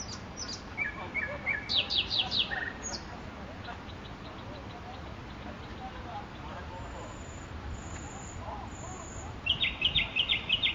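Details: Song of a nightingale in Makoui park: high chips, a short series of whistled notes, a loud fast rattling trill, a quiet stretch with low background murmur, then another rapid high trill.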